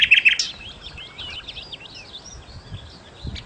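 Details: Nightingale, locally called sikatan londo, singing a quick, varied twittering phrase of high chirps and slurred notes after a loud opening burst, with faint low thumps in the background.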